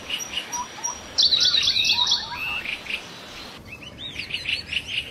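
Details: Wild laughingthrushes chatter in a quick jumble of high chirps and short squeaky notes. A brighter, trilled burst comes after the first second, and the chirping runs on over a hissing background.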